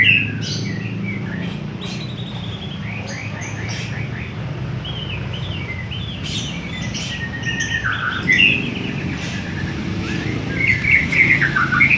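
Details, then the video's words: White-rumped shama in Indonesia singing a varied, melodious run of clear whistled phrases, slurred notes and quick trills, rising and falling in rapid succession, over a steady low rumble of traffic or engine hum. "muray suara merdu"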